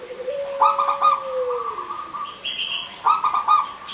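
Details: Local zebra dove singing to lure silent males and females: a long, smooth, falling low tone leads into two rapid, pulsed coo bursts, with a higher whistled note from another bird between them.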